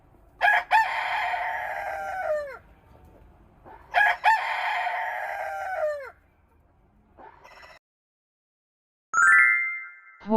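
A rooster crows twice, each a loud, drawn-out cock-a-doodle-doo about two seconds long with a falling end, followed by a brief electronic chime.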